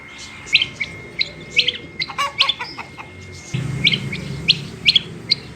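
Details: Female rain quail calling: short, sharp, high chirps given singly or in quick pairs, roughly every half second, with a brief burst of lower buzzy notes midway and a faint steady whine running underneath.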